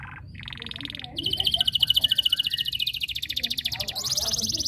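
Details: Canary in strong continuous song that calls competitors to join in: short buzzy bursts give way to a loud, rapid, steady trill of sharp pulses dropping in pitch, ending in a higher rolling section.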